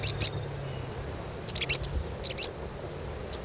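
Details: Asian pied starling chirps meant to coax untrained birds into singing: clustered bursts of three or four high, sharp notes separated by pauses, over a steady thin whine.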